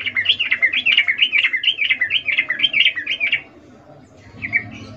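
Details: Sooty-headed bulbul, a female in breeding condition calling to a male, in the ngecuplik style: a long, steady rollicking chatter of wavering, looping notes for over three seconds. A short pause follows, then a final brief phrase.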